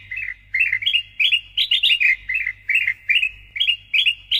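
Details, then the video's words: Sooty-headed bulbul (kutilang emas) singing loudly and persistently, used as training audio for songbird keepers: bright, bubbly two- and three-note phrases, rising then falling, repeated in quick bursts about every half second, with a low steady hum beneath. "PANCINGAN & MASTERAN KUTILANG EMAS GACOR SUARA NYARING"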